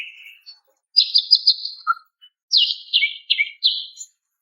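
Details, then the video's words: Calling female greater green leafbird aimed at a male: a rapid trilled high phrase, a lone lower chip, then buzzy notes with quick downward flicks. "TERAPI BURUNG CUCAK IJO MACET DAN STRES DENGAN SUARA BETINA MEMANGGIL JANTAN"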